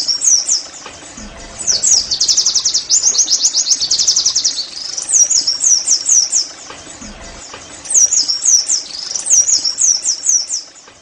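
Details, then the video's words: Oriental white-eye 'nembak' song, used as therapy to make other white-eyes sing. High chattering bursts separated by short pauses, mixing a dense fast trill with sharp, swooping twitters. "TERAPI NEMBAK PLECI I, Agar Pleci anda cepat GACOR"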